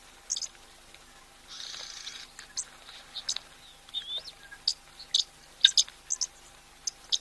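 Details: Oxpeckers that have just landed on a giraffe at a waterhole, 1 October 2023, give a drawn-out buzzy hiss, then a scatter of sharp, high chips and short rasping notes at an irregular pace.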